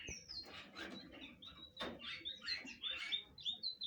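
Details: Blue flycatcher singing a varied warble of high, thin whistled notes and short trills, the phrases run together with brief pauses and a faint background rustle.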